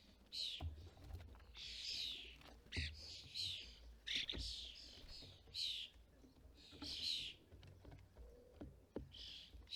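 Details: European starlings at a bird feeder in the UK during fledgling season, parents collecting food and feeding fledglings; harsh, wheezy chirps and squawks burst out repeatedly, roughly every second, over low background rumble.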